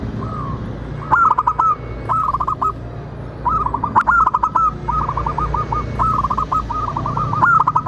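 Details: Local zebra dove song as a lure to get other birds to sing and answer: a soft opening coo, then long runs of rapid, rolling cooed notes repeating almost continuously, accompanied by sharp clicks and faint low hum.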